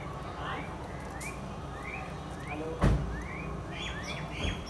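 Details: House sparrow pair, called goraya, on a phone recording: a series of short rising chirps spaced about half a second apart, a sudden thump midway, then denser chirping near the end over steady background rumble.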